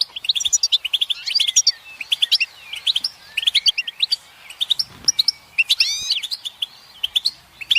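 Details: Group goldfinch chorus used to motivate silent males to sing, with mating calls: rapid liquid twitters, short chirps and rising slurred whistles repeated almost without pause, several birds overlapping in a continuous bright, high-pitched stream.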